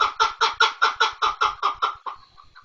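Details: Chukar partridge with nine loud, gravelly chuck notes in quick, even succession, then a few faint trailing notes as the series dies away.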